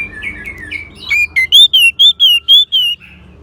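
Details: Orange-headed thrush song played to coax a caged bird that has stopped singing: soft warbled opening, then a steady series of about seven loud, clear, slightly slurred whistles, each roughly a third of a second apart.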